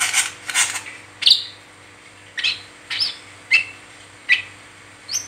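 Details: Brown-throated sunbird in its 'ngeriwik teler' chatter, used as a lure for other sunbirds: two scratchy bursts, then sharp high single chirps spaced roughly half a second to a second apart, with a faint hum behind.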